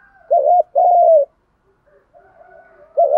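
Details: Spotted doves, males and females, calling to stimulate other doves: one clear phrase of a wavering note and a long falling coo, then the start of the next.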